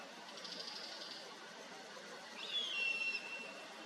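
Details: Common buzzard (Buteo buteo), call.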